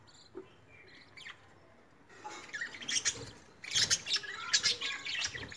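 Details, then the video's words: Lovebirds bathing: after a few scattered high chirps, a dense burst of sharp, high-pitched chirps and squeaky calls with broadband splashing-like bursts builds over the last three seconds. "Lovebirds || Love birds Bathing,Sound and Voice"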